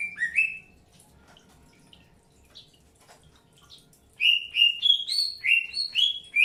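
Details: Greater green leafbird in early pairing; a short rising whistle at the start, near silence, then a run of loud clear whistled notes, each slurring downward, delivered rapidly in a jerky rhythm.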